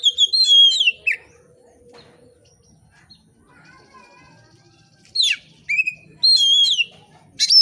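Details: Oriental magpie-robin in steady, open song, used to prompt other magpie-robins to call. A whistled phrase falls away, quiet follows, then sharp rising sweeps and bright warbled whistles return in short bursts.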